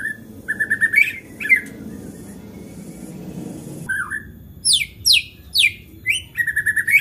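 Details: White-rumped shama in excited singing meant to set off other shamas: short whistled notes, a stretch of low hiss-like background, then bright downward-swept high notes and quick repeated chips.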